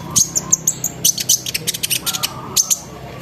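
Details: Lure recording of a sunbird in full lively song, meant to make other sunbirds join in: quick high ticking notes and short whistled slurs, delivered in an energetic chattering run.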